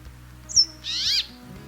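A Brambling gives a thin high note, then a drawn-out nasal, wheezy buzz lasting about a third of a second. Faint music hums underneath.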